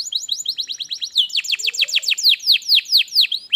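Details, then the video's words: Canary song for prompting a lazy canary to sing: quick chain of descending whistled sweeps, about four a second, loud and clear, easing into slower notes. "kenarimu pasti ikut gacor || masteran kenari malas bunyi"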